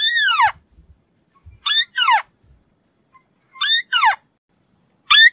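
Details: White-browed crake giving loud, harsh notes that sweep downward, in short paired bursts separated by silent gaps, with faint soft ticks between calls.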